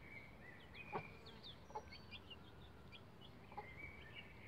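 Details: Bantam Rhode Island Red chicks around eleven days old on a hen ladder, uttering clear high sliding cheeps in quick irregular bursts, punctuated by a few soft knocks, over a low hum.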